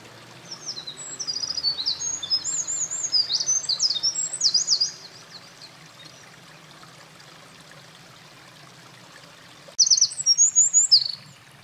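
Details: Eurasian wren at a mountain pass, 28 April 2024, a nest-building bird singing by a stream: one shrill, fast jumble of high trills for about four seconds, a long quiet gap, then a second, shorter burst of piercing notes.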